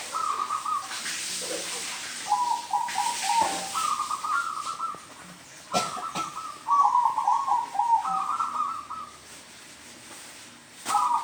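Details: Zebra dove calling in a home yard: stuttering, rolling cooing phrases, each a rapid series of bubbling notes stepping slightly downward, repeated about a dozen times with short pauses between. Faint hiss and brief knocks in the background.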